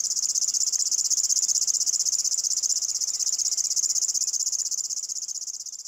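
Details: River warbler (Locustella fluviatilis), a bird of swampy forest edges, meadows and marshes that sings in the evening and early morning; a continuous, high, insect-like chirping reel of rapid, even pulses, steady throughout and fading slightly at the end.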